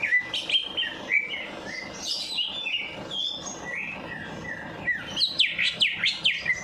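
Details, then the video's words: Bird singing nonstop after bathing at night, used as a stimulus for birds slow to sing; lively mixed whistles and fast chattering trills, ending in a dense burst of rapid high chirps. "Perangsang Burung Malas Bunyi || Habis Mandi Malam Langsung Cor Dor"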